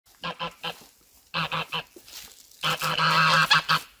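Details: Goose defending itself and attacking the person filming; bursts of harsh, noisy hissing with a low honky buzz, three short pulses, then three more, then a long rasping hiss broken into pulses.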